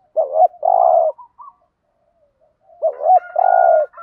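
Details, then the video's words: Spotted dove used as a lure bird to attract other doves, giving two identical phrases about three seconds apart, each a quick double hoot followed by a long vibrating coo. "tiếng chim cu gáy mồi chuẩn kích bổi hiệu quả"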